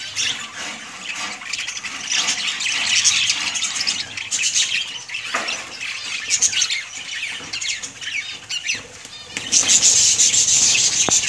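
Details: Budgerigars chattering in a breeding colony, a busy mix of high squeaky chirps and warbles with occasional louder squawks, a soft low thud near the middle, and a loud burst of chatter at the end.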